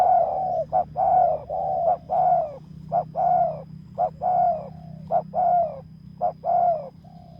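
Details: Spotted dove decoy luring a rival at a ground site: repeated phrases of a brief hoot followed by a longer, slightly descending rolling coo, close and clear over a low steady hum.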